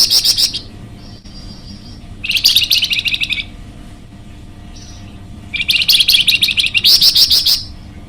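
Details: Golden-bellied gerygone (flamboyan), an energetic, vocal recording used to lure or train birds: dense bursts of rapid, buzzy high chattering notes, some with short steady whistles between them, and quiet pauses between the phrases.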